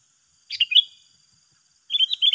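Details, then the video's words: Two sooty-headed bulbuls duelling in song: one short bubbly three-note phrase, then after a pause a faster run of repeated rising chirps, probably from the rival bird, over a thin steady hiss. "Adu Gacor yang tak Terselesaikan Antara dua petarung"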